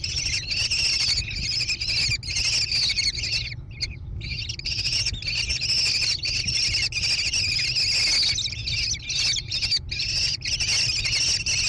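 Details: Nest-box camera near Prairie du Chien, Wisconsin, USA, 14 June 2022: American kestrel chicks keep up a high, raspy, two-pitched chittering trill that stops once for about half a second midway. A steady electrical-sounding hum runs beneath.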